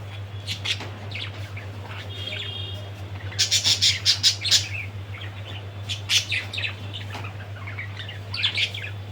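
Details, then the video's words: Budgerigar chattering in bursts of sharp, high chirps and squawks, densest in the middle and again near the end, over a steady low electrical hum. "BADRI PAKHI || BIRD NEW SOUND"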